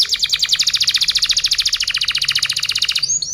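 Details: Canary song from a masteran recording made to tutor other birds: a fast, even trill of bright, high repeated notes for about three seconds, ending with a couple of short, thin notes.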